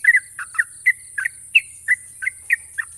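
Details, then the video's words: Sharp ropel song of a national champion Yellow-vented Bulbul: loud bubbly double whistles repeated about three times a second, each slurring up and down, with faint low rumble and high hiss beneath. "burung trucukan juara nasional ropel panjang dan tajam"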